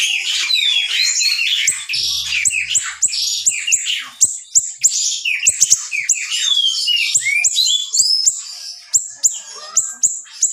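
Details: Continuous high chattering song of a small siri-siri, presented as tight, sharp bursts for training songbirds: fast sharp chirps mixed with down-slurred whistles and buzzy notes, barely pausing.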